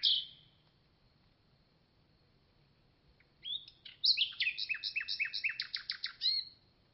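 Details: Common nightingale singing: a brief high whistle at the start, a pause, then a rapid series of sharp repeated notes accelerating into a fast rattling trill of downward-swept phrases at the end; quiet background.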